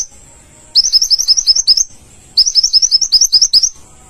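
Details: Olive-backed sunbird, kept as a song model for training, delivering two bursts of fast, high, warbling trill notes, each about a second long, separated by a short pause.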